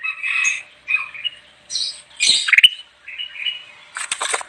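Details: Bulbul singing steadily, a recording meant for luring wild birds: quick chattering, warbled phrases in short bursts, with a sharp rising chirp near the middle and a scratchy flurry at the end.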